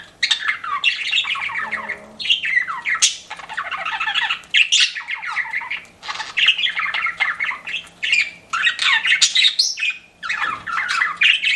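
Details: Group of pet budgies giving rapid, rolling warbled chirps in repeated bursts of one to two seconds, scratchy and high, separated by short gaps.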